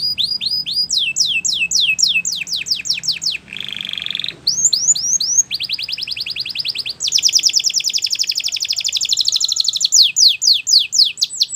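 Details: Belgian canary singing a tutor song for young canaries: fast trills of rising and falling sweeps, each sweep repeated many times, broken by a buzzy low-pitched roll and a brief pause, then a dense ringing trill.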